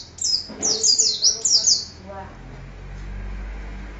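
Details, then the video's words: Oriental white-eye giving a lively 'gacor' song for tutoring other birds: a quick, very high burst of twittering, jumbled chirps for about two seconds, then only faint background hiss. "Suara Kicau Burung Pleci Gacor Untuk MASTERAN"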